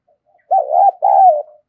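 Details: Decoy spotted dove calling to lure wild doves: a low, mellow two-part coo, a short hooted note running into a longer sustained one, about a second in all, with no other sounds.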